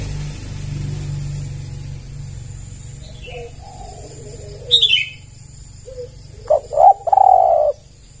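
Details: Spotted dove call used as a lure for other doves. Softer, wavering coos come first, then a sharp high chirp, and finally a loud phrase of two quick notes and a drawn-out buzzy coo.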